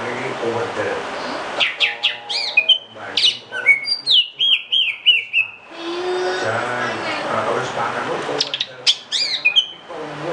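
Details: Greater green leafbird song: bursts of rapid metallic chirps and steeply falling whistles, with a run of several level whistled notes in the middle, broken by stretches of broad hissy noise and a final chattering burst.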